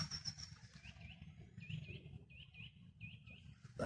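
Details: Eurasian nuthatch calling a lot in woodland near a creek, somewhat distant: a quick series of about eight short, upslurred whistled notes in small pairs and groups, over low rumbling background noise and a faint high tone at the start.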